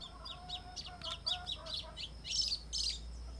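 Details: White-throated seedeater (Sporophila albogularis), called golinho, singing a quick run of high chirping notes with a steady low hum beneath, then two louder, brighter bursts near the end.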